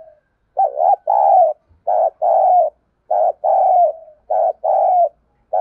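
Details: Decoy spotted dove calling to stir wild birds into cooing: low hollow coos in repeated pairs, a short note followed by a longer sustained one, about four phrases in quick succession in a quiet setting.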